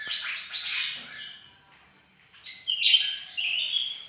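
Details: Bird-of-paradise singing on a bright morning: bursts of busy chattering, scratchy notes, a quieter pause, then clearer sustained whistled phrases near the end.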